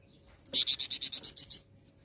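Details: Flowerpecker lure song meant to set other birds singing: nine evenly spaced, piercing high chips delivered in about one second against a quiet background.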